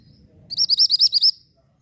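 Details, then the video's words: Orange mantenan bird song, recorded as a tutor for white-rumped shama: seven or eight bright, high, bouncing chirps in a fast even series, ending abruptly. "BURUNG MANTENAN ORANGE SEDANG BERKICAU,MASTERAN BAGUS UNTUK MURAI BATU."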